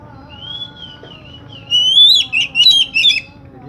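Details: Oriental magpie-robin song, used to prompt a magpie-robin that has stopped singing: a long rising whistle, then loud rapid bursts of varied whistled and chattering notes, over a steady low background hum.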